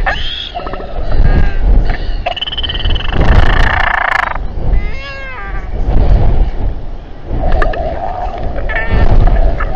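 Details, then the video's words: Royal albatross calls during a crowded, quarrelsome evening gathering in New Zealand, January 2021: a long rasping bray, arched wavering cries near the middle, then lower moaning notes, all over gusting wind. "Royal Albatross~Stressful Albatross Party and fight"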